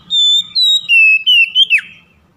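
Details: Oriental magpie-robin lure song for silent birds: long, clear, high whistled notes sliding gradually lower, capped by a short sharp downward flick.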